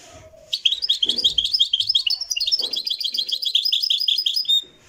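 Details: Live recording of a Moroccan goldfinch singing a fast, unbroken stream of high tinkling and buzzy twitters lasting about four seconds, with faint low thumps underneath.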